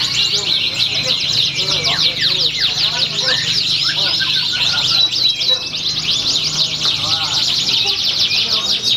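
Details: Canary singing at a bird-song competition in Pringsewu, 22 September 2019, where it earned a champion nomination; dense, fast trills and rapid chirping sweeps run continuously with overlapping singers and faint crowd voices.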